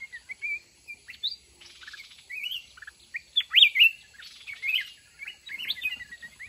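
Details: Red-whiskered bulbul from the mountains, taken in a fighting trap with a caged decoy. Sweet rising and falling whistled notes in irregular phrases, with short fluttering bursts in between.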